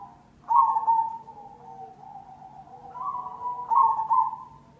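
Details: Perkutut cemani zebra dove lure song: a loud quavering coo burst, a run of softer connected coos, then a second strong double note, all steady in pitch.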